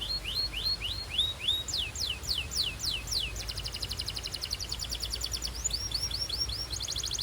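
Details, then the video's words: Belgian canary warming up with beautiful song: rising whistled slurs, steep falling sweeps, then long fast trills of repeated bright notes and further hooked phrases over constant background hiss. "This BELGIAN CANARY SINGS BEAUTIFULLY - Warms up quickly!"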